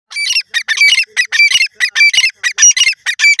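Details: Grey francolin (teetar) calling loudly: a rapid series of harsh, high, grating notes in tight bursts, several bursts each second, running without pause through the whole stretch against a quiet background.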